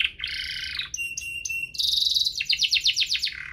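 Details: Canary duo's lively song, played to spur canaries into singing: a buzzy roll, pure steady whistled tones, then a quick bright trill of repeated notes.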